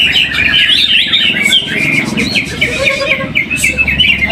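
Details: First-place caged greater green leafbird at a weekly practice singing contest in Jatisumber, Trowulan, Mojokerto, Indonesia; a lively run of twittered and whistled notes, some falling slurs, continuous over low background hum and other birds.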